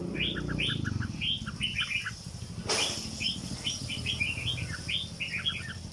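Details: Caged red-whiskered bulbul singing in the legendary 'rong dok' style: short bright whistled phrases repeated in quick bursts, with a low rumbling background and one sharp click midway.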